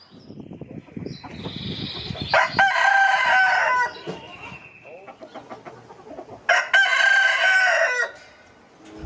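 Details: Male chicken crowing twice, each a harsh, harmonic-rich burst about one and a half seconds long. Rapid clucking-like pulses come first.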